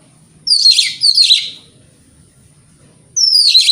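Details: Two rasping, buzzy descending phrases, a pause, then a third, from an Oriental magpie-robin singing in the morning as a lure to stir rival birds.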